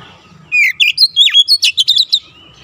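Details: Oriental magpie-robin song used as a training recording for young birds: after a quiet start, a rapid burst of clear whistled notes, sweeping slides and sharp high chips, delivered densely for about two seconds against a faint low hum.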